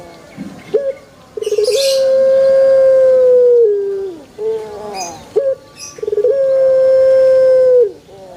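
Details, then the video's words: Male collared dove calling, said to make other birds join in: two long, smooth, sustained coos, each led by a short note and trailing off lower, with brief chirps from another bird. "SUARA ASLI BURUNG PUTER JANTAN"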